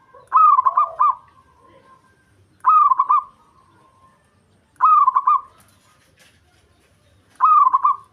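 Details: Indonesian local zebra dove in breeding mood, calling to stir a rival. Four evenly spaced phrases sound about every two and a half seconds, each a short stuttering, rolling coo.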